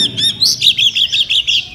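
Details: Caged Oriental magpie-robin, the winner of its class at a 2018 songbird competition in Sri Aman, Sarawak, Malaysia: a rapid run of high sweet chirps, about six per second, bright and evenly spaced.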